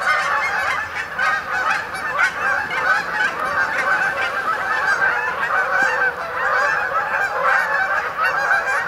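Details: Many Canada geese arriving to roost overnight on a pond at Sapsucker Woods, Ithaca, New York, in late October 2017, their layered honking forming a steady, unbroken din.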